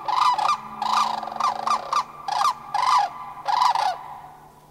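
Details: A likely family of three Sandhill Cranes (two adults, one juvenile) in Far North Bicentennial Park, Anchorage, Alaska, on 1 May 2011, gives loud, rolling, rattly overlapping bugles, about eight or nine notes in under five seconds, answering cranes flying past.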